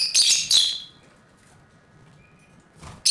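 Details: Lovebirds playing in a cage: two rapid, piercing, raspy chirps in quick succession, then near silence with a faint high tone, ending as another shrill burst begins.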